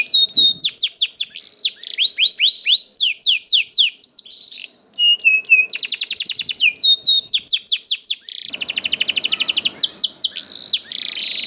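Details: Young canary song to coax other canaries into singing: long varied sequence of whistled sweeps, rapid trills and rolled buzzy phrases, loud and nearly continuous.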